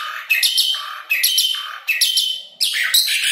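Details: Asian pied starling song used to coax lazy caged birds into singing. Four bursts of harsh, buzzy, ringing notes come roughly every 0.8 seconds, each dropping to a lower tone.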